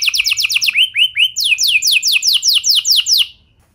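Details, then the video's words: Canary lure song to encourage other canaries to sing: strings of sharp, descending whistled notes, some lower rising slurs midway, repeated at an even quick pace before fading out. "Pancingan Suara Burung Kenari Lagu Unik! Buat Kenari Mana Saja Pasti Ikut Bunyi"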